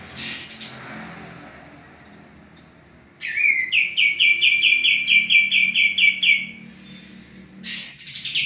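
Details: Lively song of a male common iora used to train cage birds: after a sharp high note and a quiet gap, a steady chain of about fourteen clear, evenly spaced chirps, closed by another sharp high note.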